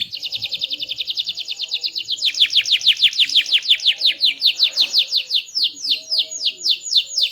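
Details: A small, loud-voiced canary delivers a melodious song: a long rapid trill of even notes that turns into a sequence of steep downward sweeps, repeated several times per second with a steady rhythm.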